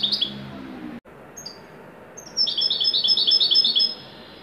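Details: European goldfinch, Moroccan widani style, singing with joy: after a faint lower murmur and a few isolated high notes, a sustained run of quick, bright, tinkling twitters lasts about a second and a half.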